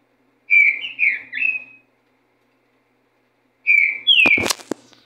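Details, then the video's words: Racha song of a green-winged saltator: looping whistled notes in a short phrase, a pause, then further downslurred whistles cut by a sharp loud knock and rattle near the end. "RACHA DE TRINCA FERRO!"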